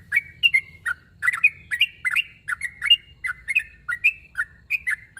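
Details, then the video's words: Sooty-headed bulbul calling out a rival, giving loud, dense chirping: short bright notes, some paired, sliding up and down, delivered rapidly without pause. "Suara burung trucuk narung memangil lawan"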